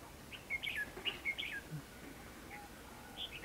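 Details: Red-whiskered bulbul kept as a decoy for trapping wild birds, March 2016, delivering short clear whistled and chirped notes in a lively cluster, a few more later, with low background noise.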